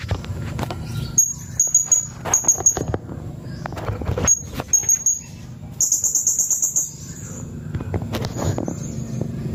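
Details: Blue-crowned hanging parrot (serindit) uttering clusters of shrill, very high tsit notes, then a fast rattling trill of rapid high notes near the middle, with low-pitched background noise throughout.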